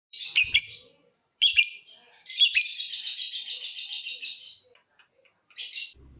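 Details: Lovebird song used to prompt other lovebirds to trill: two short harsh chattering bursts, then a long rapid buzzy trill of about two seconds, ending with a brief squeaky note.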